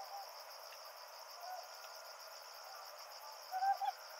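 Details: Ryukyu scops owls at night in the Yaeyama Islands, a male and female calling back and forth; two short, low, slightly rising hoots near the end over a steady high pulsing insect chorus.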